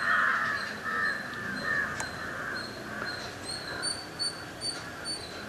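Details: Jungle babbler at a coffee plantation in Yercaud, giving harsh, grating chatter notes loudest at the start, then fading; a thin high note repeats about twice a second later in the recording, with soft background hiss.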